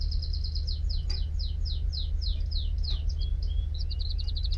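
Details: Singing canary: fast chipping notes give way to slower, swooping downslurs, a brief whistle, then a short tight buzzy trill at the close, over a low hum.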